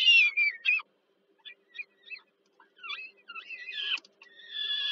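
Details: Peregrine falcon chicks begging while the mother feeds them, Warsaw, Poland, July 2022; a few loud rasping notes, then quiet scattered chirps, building again into wavering squeals and a steady scream.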